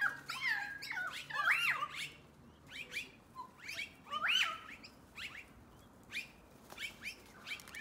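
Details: Several noisy miners gathering just before dark, calling together in harsh chattering and squawky notes mixed with a few clearer rising whistles, in bursts every second or two.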